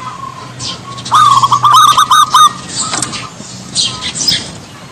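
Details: Javan zebra dove phrase: a run of fast, evenly spaced cooing notes lasting about a second. Low steady background hum and scattered faint noises fill the rest.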